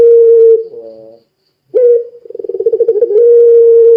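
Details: Steady held coo from a puter pelung dove used to make other doves sing, then soft layered notes, a silence, and a fast throbbing roll that settles into a long even tone.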